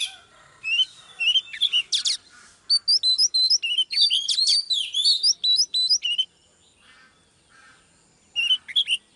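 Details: Live female Oriental magpie-robin rousing a male: clustered sharp chips and slurred whistles over about five seconds, then a silence and a short final flourish.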